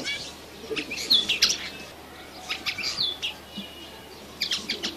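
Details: Red siskin chick twittering in short, excited phrases of thin, high, slightly buzzy notes, separated by brief pauses.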